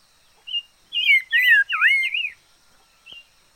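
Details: Decoy liocichla giving a short burst of song: three loud, swooping whistled notes run together, framed by single softer whistles before and after.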